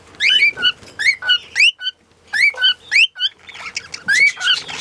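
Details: A lutino cockatiel sings a run of bright upslurred and downslurred whistles in tight clusters, breaking off briefly midway before resuming with more rising whistled notes.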